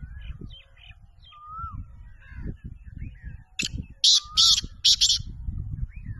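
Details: Pakistani champion black francolin, described as a speeder of the chakri wala style, gives one loud series of four rasping, scratchy notes, preceded by soft chirps and a smooth whistled note over low rumbling noise.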